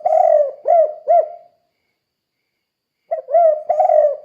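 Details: Tekukur, the spotted dove, singing the "kuk 2" gacor style meant to coax other doves into singing; mellow low coos, one long then two short notes, a pause of over a second, then the phrase starting again.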